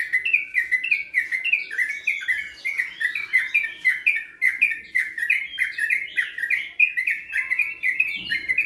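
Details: Young caged Sooty-headed bulbul in Bandung, March 2021, singing long continuous 'ropel' song: rapid, unbroken strings of short slurred whistled notes, each dipping and rising, chained for nearly nine seconds with steady tempo.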